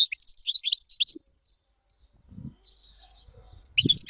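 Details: European goldfinch singing for teaching chicks: a quick twittering run of high chirps and trills for about a second, a pause with faint low knocks, then a fresh burst of bright notes at the end.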